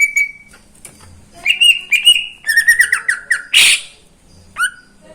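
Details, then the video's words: Caged greater green leafbird singing in the morning: a held whistle, then warbled and slurred phrases with one harsh burst and a final downslurred note. "Kicauan cucak ijo di pagi hari"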